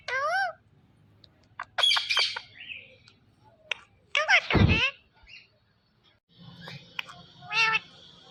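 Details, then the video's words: Indian ringneck parrot producing a string of varied speech-like notes: a wavering call, scratchy clicks, a loud harsh burst with a thump, then a softer nasal phrase amid low background hum. "Ringneck Parrot Sounds Mithu Mithu"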